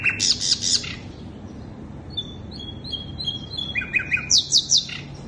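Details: Lure recording of the sikatan londo flycatcher: a loud buzzy chatter, a pause, then thin descending whistles followed by quick chirps and another buzzy burst.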